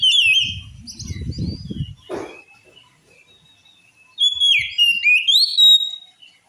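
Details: Magpie-robin song of the oriental species, claimed to make other males angry: rapid whistled notes over low rumbling thuds, a soft silence, then a lively string of clear rising and falling whistles.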